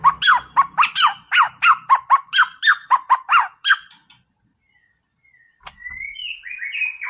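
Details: White-rumped shama in training song to rile a rival: about fifteen loud, sharp, downslurred notes repeated rhythmically, almost bark-like. A pause follows, then a soft rising warbled phrase.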